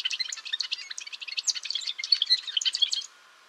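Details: Golden-rumped euphonia singing a fast, continuous medley of bright chips, tinkling notes and short whistles, all high-pitched, sustained for about three seconds before ending suddenly.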